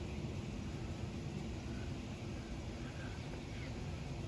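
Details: Steady low rumble of an engine or passing aircraft fills the recording outdoors, with no animal calls heard.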